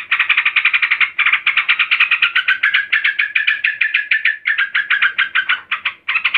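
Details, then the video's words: Calling female yellow-vented bulbul, described as raging to summon a male: continuous bursts of harsh, buzzy chatter notes, brief silences separating the runs, close and clear. "Trucukan BETINA NGAMUK GARUDA memanggil JANTAN"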